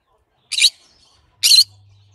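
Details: Two sharp, grating squawks from a green-cheeked conure, just under a second apart, each brief and noisy across a wide pitch range, with a faint low hum starting after the second.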